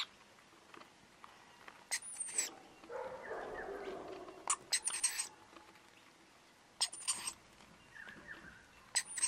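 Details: Wild rainbow lorikeet parents and two young at a balcony feeding on powdered nectar: repeated brief shrill screeches in short clusters, a low rushing noise midway, and faint falling whistles of other birds.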